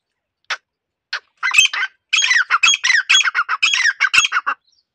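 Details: Captive female grey partridge (titar) calling as a decoy to lure and catch wild partridges: two isolated harsh notes, then a rapid run of about fifteen loud, rasping, clipped squawks over three seconds.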